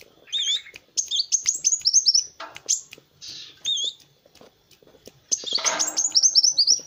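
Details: Sunbird known locally as kolibri wulung, kept as a master bird for training other songbirds, singing energetically: rapid high whistled phrases with sharp rising and falling sweeps and twittering trills in bursts separated by short pauses.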